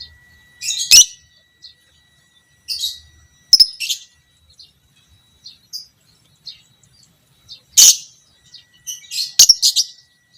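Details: Fighter lovebird of the biola pb creamino type, in a recording used to train other lovebirds, uttering short, sharp, high chirps and squeaks in irregular clusters separated by quiet gaps of one to three seconds.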